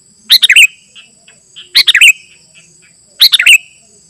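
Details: A sooty-headed bulbul, used to call wild birds and as a tutor, repeats a short, chattering, liquid phrase about every one and a half seconds, three times, with soft extra notes between and a faint high whine.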